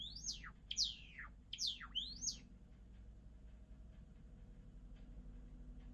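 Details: A Java sparrow gives four quick, high, downward-sliding whistled notes in a row, then falls silent while a low hum continues.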